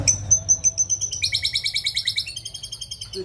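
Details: White-rumped shama singing energetically, opening with clear high whistles, then a fast run of repeated bright notes, about two per second, layered in rich rising and falling phrases; a man speaks briefly afterward.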